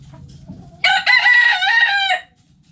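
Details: Rooster in a backyard chicken coop gives a single loud, harsh crow of about a second and a half after quiet clucking.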